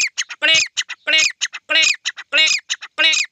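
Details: Grey francolin heard on a morning walk gives loud, harsh, rhythmic phrases: a long grating note followed by short clipped notes, repeated about every two-thirds of a second.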